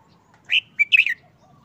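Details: Red-whiskered bulbul in a cage, moulting for over a month and quiet in mood, delivers a brief three-part phrase. A rising slur, a sharp short note and a tumbling warble, all within under a second, over a faint low murmur.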